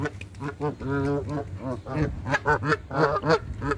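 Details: Canada geese being hand fed, giving a rapid series of short, harmonic nasal honks, some drawn out and some clipped, repeated about three per second.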